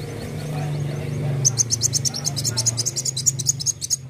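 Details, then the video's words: Kolibri wulung (sunbird) singing in rapid shooting bursts, a recording for tutoring and luring songbirds: low murmuring voices first, then a long fast run of thin, very high repeated chirps. "KOLIBRI WULUNG GACOR NEMBAK NEMBAK"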